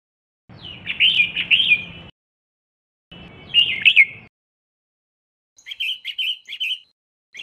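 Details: Female red-whiskered bulbul giving calls meant to rouse males to sing: short rich warbled phrases of a few notes each, separated by silence, the last burst thinner and more distant-sounding.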